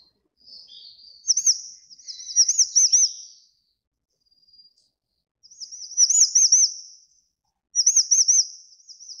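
Grey-chinned Minivet giving very high, thin, rippling trilled calls in short bursts, about four phrases in nine seconds, with a faint high hiss between them.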